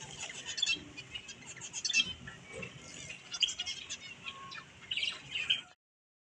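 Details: Budgerigar chicks chatter in a steady stream of high twittering and squawky chirps, with sharper accented notes now and then, before the sound cuts off into silence near the end.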